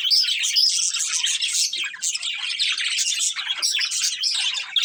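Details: Bright, rapid chirping and twittering from a breeding pair of budgerigars, with a few clear high squeaks standing out from the steady scratchy chatter.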